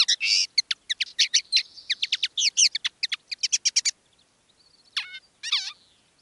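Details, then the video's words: Common linnet decoy bird singing live: a burst of rapid twittering chips and buzzy notes for four seconds, then near silence and two last wavering, downslurred calls. "Canto del Pardillo. Dos pájaros de reclamo"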